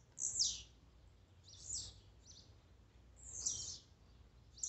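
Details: Blue-black grassquit warm-up song (esquente) meant to excite a kept bird: three high, buzzy notes that slide steeply downward, spaced about a second and a half apart, over a quiet low hum.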